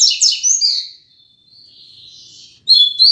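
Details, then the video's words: Rusty-collared seedeater (coleiro) kept as a tutor bird for song learning, caged: rapid high twittering phrase trailing into a thin sustained note, brief quiet, then a sharp new burst of song. "Coleiro Professor Aprendizado"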